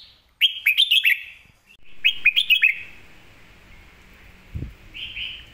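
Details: Red-whiskered bulbul master song meant for teaching other birds: two quick runs of five or six bright chirpy whistles about two seconds apart, then a soft paired whistle at the end, with one low thump.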